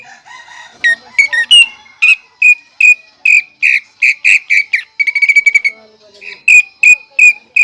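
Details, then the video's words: Greater green leafbird (cucak ijo) singing in a cage, its song including pelatuk bawang imitation: soft warbles, then a series of shrill whistled notes, a fast stuttering trill and more evenly spaced piercing whistles. "CUCAK IJO GACOR ISIAN PELATUK BAWANG"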